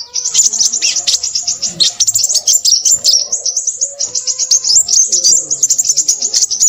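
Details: Busy, noisy song of a crimson sunbird, continuous shrill twittering and rapid high chips filling nearly seven seconds, with faint low sounds in the background.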